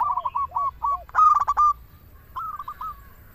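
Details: Local zebra dove in steady singing form, a recording used to lure other zebra doves and prompt them to sing; soft stuttering coos, then a loud rolling burst, then a quieter trilled phrase, over faint low background rumble.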